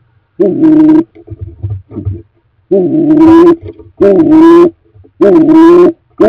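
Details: Stock doves at a freshly cleaned nest box as a new breeding season approaches; deep, hollow cooing notes, each about half a second long, repeated roughly once a second, with soft low rustling between calls.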